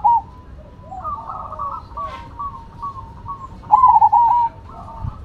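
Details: Cemani and Silver zebra doves sing against each other. Soft, evenly spaced coo notes lead into one loud, fast, trilling coo phrase near the end.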